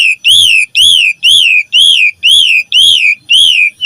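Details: Asian pied starling training recording: a clear rising-then-falling whistle repeated steadily about twice a second, each note alike.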